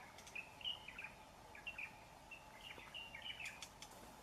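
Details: Young wild white-rumped shama (murai batu) from the forest singing: short, clear whistled notes at a similar pitch, delivered in quick bursts with brief gaps, over a faint steady hum and scattered soft clicks.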